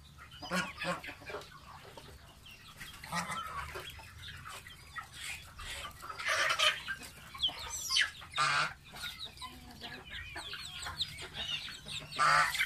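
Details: Baby domestic goose, a pet, having a bath: busy, irregular bursts of high peeps and harsher squawks throughout, some loud and rasping, with brief splashy noise and a constant low hum beneath.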